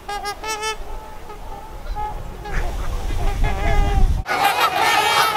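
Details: Trumpeter Swan flock on the unfrozen Mississippi River in Minnesota, mid-January, zero degrees. Clear nasal honks open the clip, then a deep rumble of wind or handling noise, followed by a dense burst of overlapping honking from many swans.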